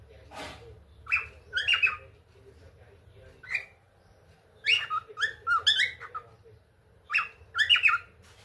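A cockatiel sings a bright run of whistled, warbling phrases in short bursts.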